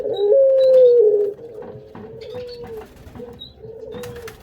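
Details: Breeding-stock collared dove cooing: a loud drawn-out level note, then a series of softer, evenly pitched coos, with light tapping and chirps behind, apparently indoors.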